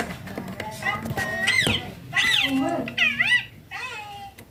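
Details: Green baby ringneck parakeet at play and feeding time, giving a string of bright, arching, harmonic talking calls that rise and fall, with a person speaking softly underneath.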